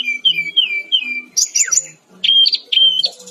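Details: Brown-chested jungle flycatcher (Cyornis olivacea) sings a loud, varied phrase: slurred mid-pitched whistles, a burst of very high squeaky notes with a falling slide, then short bright whistled bursts.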